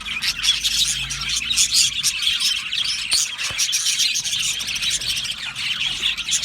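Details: Budgie parrots in an aviary colony keep up a lively twittering, quick repeated chirps and scratchy warbling notes blending into a constant high chorus.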